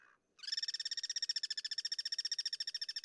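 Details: Guira cuckoo in its natural habitat, cross-singing: a short noisy note, a pause, then a loud, fast, evenly pulsed rattling series of harsh notes continuing steadily for over two and a half seconds.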